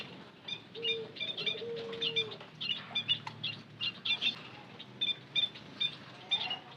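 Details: White-headed munia lure call with steady, high, thin chirps repeated rapidly throughout, while a low, drawn-out hooting coo sounds twice early in the background.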